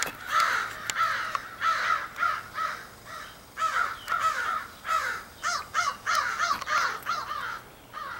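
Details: Many crows of a large extended group calling on 4 April 2015, possibly choosing mates; harsh caws follow one another rapidly and irregularly, several birds overlapping, about a caw and a half each second.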